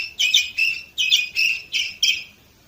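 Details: Canary of the Orpheus line from Varna, Bulgaria, 2018, giving five rich, buzzy bursts spaced about a third of a second apart, each a harsh rolling chirp, before falling silent.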